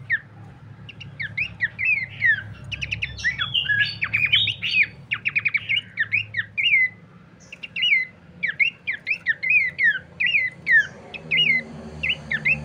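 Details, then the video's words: Horsfield's babbler song for luring and training birds: long sequence of downslurred whistles mixed with dense chattering and buzzy bursts, then steadier repeated falling phrases, low hum in the background. "pancingan dan masteran terbaik mewah khas burung pelanduk semak"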